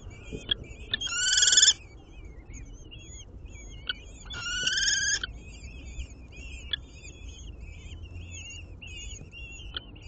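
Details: Common kestrel at an urban nest in a ninth-floor window planter in Aguadulce, Almería, where the female feeds a swift to the chicks and the male brings a chameleon. Two loud, harsh, buzzy bursts about a second long over continuous high chirping from other birds.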